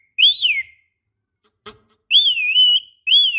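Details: Javan myna used as a lure call for young birds, described as a female calling males: clear whistled notes that rise then slur downward, given in three bursts with brief silent gaps and a soft click between.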